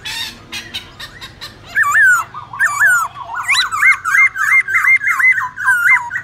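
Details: Black-throated laughingthrush in wild-voice song used to teach young birds. A harsh scratchy opening gives way to a quick series of bouncing, looping whistled notes repeated almost twice a second.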